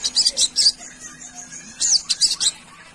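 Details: A Sunda pygmy woodpecker gives two bursts of very high, rapid, sharp trilling notes about a second apart, over a faint high hiss and low hum; the recording is offered as a lure call for wild birds.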